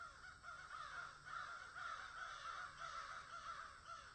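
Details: Harsh cawing of crows in a field, a continuous run of overlapping rough caws against a constant low rumble.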